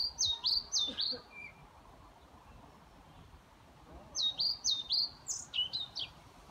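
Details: European pied flycatcher singing at a care home in Haga, Sundsvall, Sweden, on 29 May 2018: two short bursts of high, sweet, clipped notes in a quick run, about three seconds apart.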